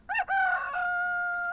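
A rooster gives one crow: a short, broken opening note, then a long, steady, nasal tone held to the end. No other sounds are heard.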